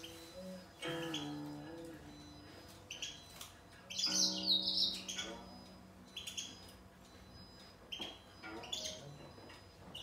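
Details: Grey singer finch in a song battle with a green singer, giving scattered short chirps and one louder warbling burst amid quieter gaps, with faint low background music.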